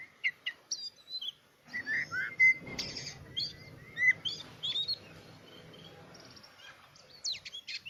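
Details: Oriental magpie-robin singing in spaced bursts: sharp chips, whistled upslurs and a buzzy note, scattered across the phrase with quiet gaps and low hum behind.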